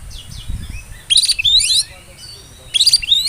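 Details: Oriental magpie-robin whistling, meant to rile rival birds and get young ones singing; two bright bursts of rapid rising and falling whistled notes separated by a pause, faint chirps between.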